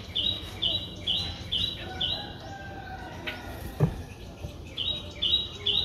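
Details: A 4-day-old Streak-eared Bulbul nestling, Ubon Ratchathani, Thailand, 6 April 2023: a few high, thin repeated notes, then a pause with a brief knock, then the notes resume near the end.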